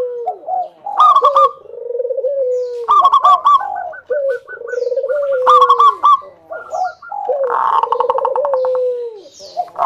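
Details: Local zebra dove used as a lure to prompt other zebra doves to sing: overlapping bursts of quick, stuttering coos, each ending in a long, falling, mellow note, repeating through the whole stretch.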